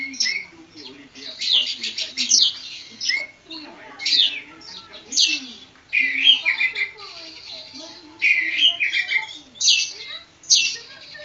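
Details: Javan kacer poci, an Oriental magpie-robin, sings sharp, buzzy high bursts and slurred whistles in short outbursts about every second or two, over faint lower murmuring.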